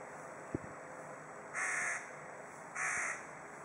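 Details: A crow in Kaliningrad, Russia, croaking at a female companion crow: two harsh, rasping croaks about a second apart over steady background hiss, with a faint click just before them.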